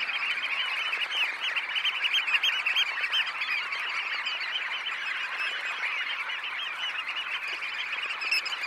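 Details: Close recording of roughly 20,000 red knots taking off from a high tide roost: a dense, restless chorus of short calls with small surges in loudness throughout.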